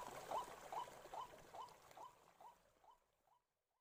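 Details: Forest-dwelling white-breasted waterhen giving a series of about nine upswept notes, roughly two per second, fading steadily until silence.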